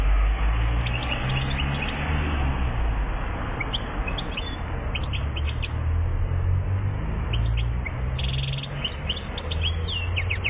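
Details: Algerian European goldfinch, aged one year, recorded in 2014, delivering continuous lively twitters and chirps with a brief buzzy trill near the end, all over heavy low-pitched hum.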